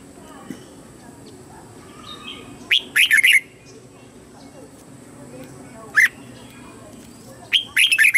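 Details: Red-whiskered bulbul lure bird singing to draw wild birds in for a fight: loud bursts of three or four rapid, bright warbling whistles, spaced a few seconds apart, with a single note between them over low background hum.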